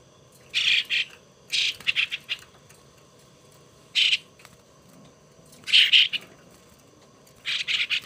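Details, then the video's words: Young starling under hand-rearing gives clustered grating squawks, quick stuttered runs separated by pauses of one to two seconds. "Sáo đá"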